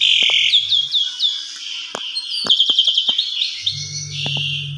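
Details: Asian pied starling in an agitated, varied song of high whistles, chatter and slurred notes, used as a lure to make other starlings agitated; scattered clicks and a low hum beneath.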